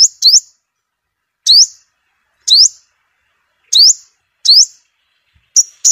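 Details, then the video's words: Five-coloured sunbird song played for speaker trapping: very high, thin, upward-sweeping chirps, singly or in quick pairs, about one each second; background silent. "Tiếng Chim Hút Mật 5 Màu Kích Bổi Nhanh Hót"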